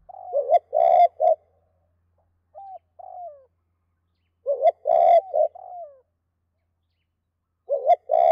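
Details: A spotted dove gives low, hoarse cooing phrases of several quick notes ending in a drawn-out, falling coo, repeated about every four seconds against a quiet background.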